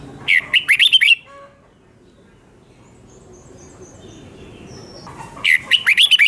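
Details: {'caption': "Red-whiskered bulbul, a Thai cage bird, in doubled 'beul' song meant for teaching young birds: two quick runs of slurred, liquid whistles at the start and end, separated by a long quiet pause with faint background hiss."}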